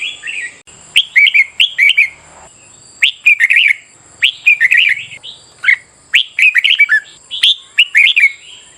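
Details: Repeated bright, bubbling phrases of a red-whiskered bulbul, played as morning training to stimulate competitive singing, each burst of several quick warbled notes separated by short pauses, over a faint continuous high whine.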